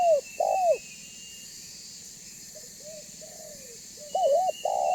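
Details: Spotted dove lure call for pulling other doves near: a falling coo at the start, a stretch of soft low coos, then a louder wavering-and-falling phrase at the end, with a faint high whistle overhead.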